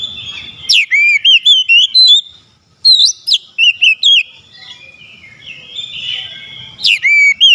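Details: Oriental magpie-robin singing to provoke a lazy magpie-robin into song: bursts of rich, sweeping whistles with sharp upward and downward slides, two main phrases separated by a short pause, then a third starting at the end.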